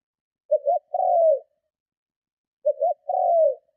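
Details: Two strong coos from a spotted dove, used to lure and provoke rival doves; each phrase has two quick low notes followed by a drawn-out falling coo, with clean silence between.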